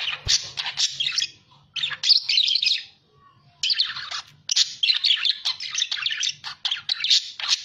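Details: Budgerigar chatter used as a lure or training recording: dense, scratchy warbling and chirps in bursts of one to two seconds, with brief pauses; a faint low hum underneath.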